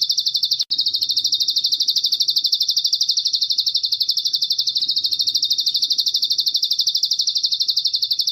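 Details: Bar-winged prinia on masteran audio, cililin fill included, giving a shrill sustained trill of quick uniform pulses, roughly three a second, briefly cut by a click near the start.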